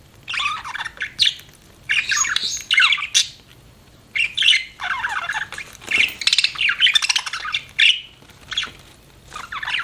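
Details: Budgie chirping in repeated bursts of high, scratchy warbling chatter lasting about a second each, separated by short pauses.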